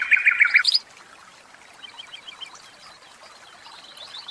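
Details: Caged common nightingale opening with a loud, rapid stutter of repeated notes and a high flourish, then falling to faint, sparse chirps.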